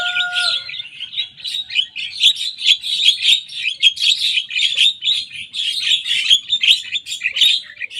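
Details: Javan myna, a young bird in full voice, pours out a continuous stream of scratchy, rapid chattering notes, copying the songs of rivals.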